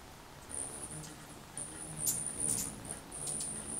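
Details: Anna's hummingbird calling in March 2021 at Myrtle Point, Coos County, Oregon: very high, thin squeaky notes in drawn-out bursts broken by sharp scratchy ticks, over a low background rumble.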